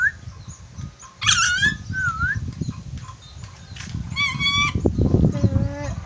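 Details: Red-breasted parakeet from Sulawesi known for whistling: a loud harsh squawk, then a smooth whistled dip and a second squawk, with a steady tone at the end, over low rumbling noise and chirping birds.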